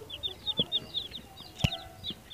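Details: Day-old-or-so domestic chicks give high, thin peeps, short falling notes repeated several times a second, with a brief knock or thump partway through.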